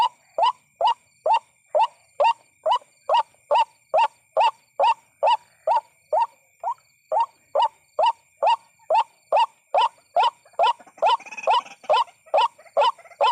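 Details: Night recording of a white-breasted waterhen, tied to bird trapping: long, evenly paced run of clipped, upward-inflected croaking notes about two per second, a thin steady high whine behind, and brief rustling noise near the end.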